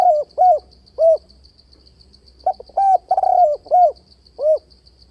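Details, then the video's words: Spotted dove used as a trap decoy, its voice shifting and bowing coos continuing: well-spaced hollow coos, then a quick run of five throaty notes with one drawn-out middle syllable, over a constant thin high-pitched whine. "Tiếng cu gáy kích bổi bẫy đấu ,//tiếng chim cu gáy đảo giọng kèm bo liên tục"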